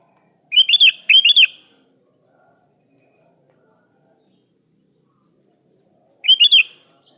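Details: Sooty-headed bulbul, kutilang, calling to a rival: two quick liquid phrases in succession, then a pause of nearly five seconds before a third similar bubbling phrase.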